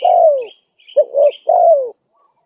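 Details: Spotted dove call used to attract wild doves: a long falling coo, then two short hoots and another long falling coo, with high chirping birds overhead.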